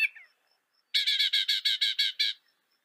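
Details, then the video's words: Northern mockingbird song from North America: a soft opening note, then a steady string of about nine loud harsh rasping notes repeated in quick succession. "Veja o canto do pássaro, ave zombeteira"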